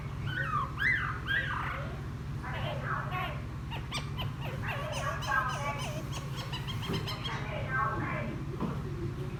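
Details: Caged wild-caught laughingthrush, newly taken from the wild, chatters in song after bathing, with busy jumbled notes, quick trills and short slurred whistles against a droning low hum.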